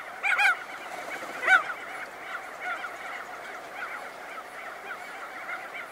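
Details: Crested auklets give two loud honking, nasal calls near the start over a steady murmur of many more calling birds in a dense colony; close-up calls and wingbeats as birds emerge from burrows.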